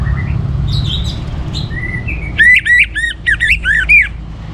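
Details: Orange-headed thrush in full song, used to stir other birds into singing: faint high notes, then a loud burst of rapid whistled and chattering notes over a steady low hum.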